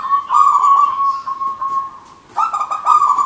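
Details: Local wild zebra dove giving a loud cooing song: a long, steady, vibrating trill broken by brief stutters, a short gap, then a fresh burst of rapid pulsed notes.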